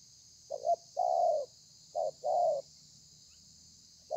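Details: Spotted dove in thổ pha cooing style, 30 November 2020: a clipped double note followed by a long mellow coo, repeated twice, then the start of another phrase, over constant high-pitched hiss.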